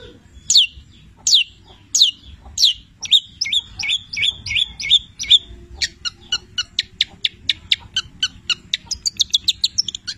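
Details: Long-tailed shrike of the Petir type in full song, rich in labet and canary imitations. Spaced falling whistles lead into quick paired notes, then a rapid, accelerating series of sharp high clicks and chips.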